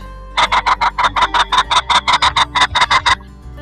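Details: Golden pheasant (Chrysolophus pictus) giving a rapid run of about sixteen harsh, nasal notes, roughly six per second, over soft background music.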